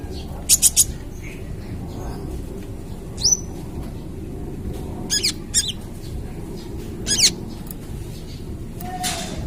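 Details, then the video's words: Ruby-cheeked sunbird at the mottled trotol plumage stage, full song used as a lure for other birds: scattered very high, sharp twittering notes in short bursts, with long gaps and a steady low background hum. "Masteran Kolibri Ninja (Konin) Trotol Gacor Full Tembakan - Cocok Untuk Pancingan"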